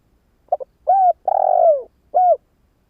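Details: Spotted dove cooing as a decoy to lure wild doves: a short double note, then drawn-out slurred coos that fall in pitch, with a final shorter coo. The recording is clean and quiet.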